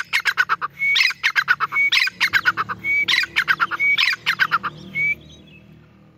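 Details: A female grey francolin (Sindhi teetar, Francolinus pondicerianus) gives loud, harsh clucking notes in quick bursts, each ending in a short rising whistle, about once per second.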